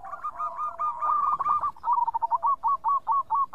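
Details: Zebra dove of a local strain from Indonesia, singing actively. Its song is a fast chain of clear, bubbling coo notes, at first slurred together, then spaced and even, roughly two per second.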